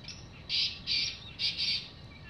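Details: A wild black francolin, free in the open, gives four harsh, grating notes in quick pairs, high-pitched and rasping, over a quiet background hiss, in the evening.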